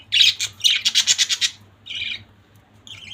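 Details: A family of budgerigars kept as pets: a loud rapid chatter of about ten quick scratchy pulses, then a pause and a softer single chirp, over a faint hum.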